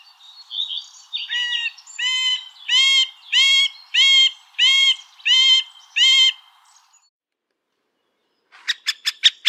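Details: Song of a middle spotted woodpecker, Dendrocopos medius. Drawn-out nasal whining notes, rich in overtones, repeat at an even pace of roughly one and a half a second. A brief silence follows, then a quick burst of sharp clicking ticks.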